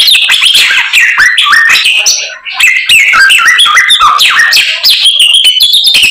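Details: White-rumped shama singing in full voice, its song packed with borrowed phrases from other birds: rapid varied whistles, sliding and stepped notes, and sharp chips running almost without pause, with a brief lull near the middle.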